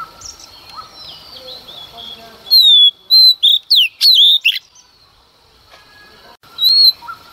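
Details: A female Oriental magpie-robin sings at dawn to provoke males, giving a quick run of loud, varied whistles and sharp slurred notes mid-clip after a quiet start, with one more whistle near the end.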